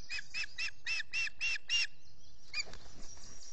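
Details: Osprey at a nest in the US Finger Lakes during chick feeding, dawn, June 2021, recorded by a solar nest camera: seven sharp repeated chirps, then a brief scratchy rustle.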